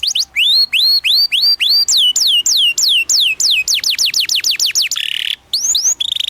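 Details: Training song of a canary for young birds: a series of clear upslurred whistles repeated steadily, then quicker downslurred whistles, a short harsh buzz, and renewed whistling at the end.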